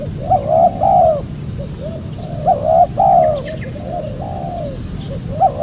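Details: Spotted dove coos played to attract wild doves. Phrases of a short note then two longer, slurred coos repeat about every two seconds, with faint high chirps of another bird and a low hum beneath.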